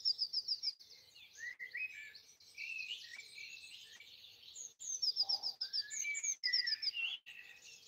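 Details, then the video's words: Birds singing in trees beside a house early on Easter Sunday morning 2020 in Broadford, Kildare, Ireland; overlapping high twittering and whistled phrases, with quick trilled runs and a soft low hum underneath. "Birdsong, Easter Sunday, Broadford, Kildare, Ireland"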